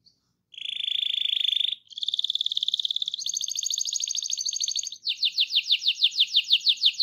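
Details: Canary singing 'gacor ngerol', its rolling song intended to get other canaries singing: successive buzzy rolled tours, each slightly higher than the last, ending in loud, rhythmic, sweeping repeated notes.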